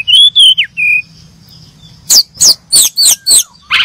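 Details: Brown-chested jungle flycatchers give a pair of level whistles and a falling note, then five loud, sharp, downslurred chirps spaced about a third of a second apart, ending in a rough burst.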